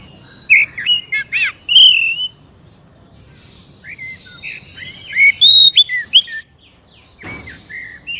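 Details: Oriental magpie-robin song used to prompt a captive bird: a burst of rich whistles and buzzy notes, a brief pause, then a second phrase of varied slurred whistles ending in softer notes.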